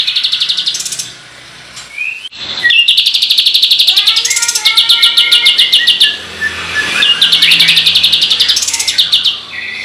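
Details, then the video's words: White-shouldered triller, known locally as kapas tembak, singing energetically in rolling 'tembakan' style for use as a lure: fast, high, ringing trill bursts broken by a short pause and a few slurred whistles. "MASTERAN BREN KAPAS TEMBAK GACOR ROLL TEMBAKAN‼️ PANCINGAN BURUNG KATEM EMOSI"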